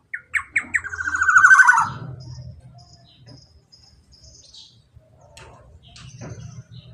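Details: Long rolling 'ropel panjang' phrase of a black-naped oriole, meant to stimulate a quiet bird to sing: three quick sharp notes lead into a loud rasping trill, then a low rumbling hum with a few faint chirps.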